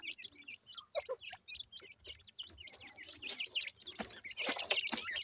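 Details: Many young Indian grey francolin chicks at feeding time peep rapidly in thin upslurred notes, overlapping constantly, with sharp clicks and pecking taps growing busier toward the end.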